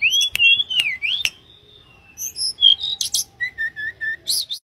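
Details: Sweet whistled song of a wild mangrove blue flycatcher: wavering slurred notes at first, a pause, then a short series of evenly spaced lower whistles and a final high chip.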